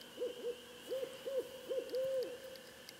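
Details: Barred owl responding after being called in by a person: a quick series of mid-pitched, arched hoots, the last one drawn out longer, with a faint steady hum behind.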